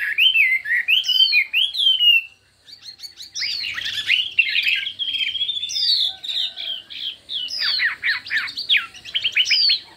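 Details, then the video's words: Hwamei singing in competition with many voices: opening bright whistled loops, a brief pause, then a dense burst of mixed harsh and warbled notes, followed by sharp descending whistles. "Hoạ Mi Hót Đấu Nhiều Giọng"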